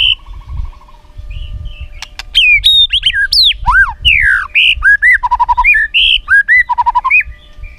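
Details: Rich "isian" song of a white-rumped shama, used as a lure to make other shamas sing: after a soft trill, loud swooping whistles, rising and falling slurs and short bursts of rapid repeated notes follow without pause.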